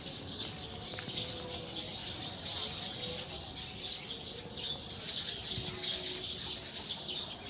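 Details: Flock of wild Eurasian tree sparrows going to roost in a tree, many birds chirping at once in a bright, unbroken twittering wall of sound that swells and eases slightly.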